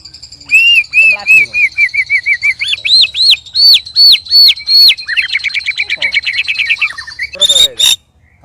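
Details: White-rumped shama sparring with two other birds, loud and strange: a long series of repeated whistled notes, first low and quick, then higher arched notes, then a rapid trill, ending in a harsh burst.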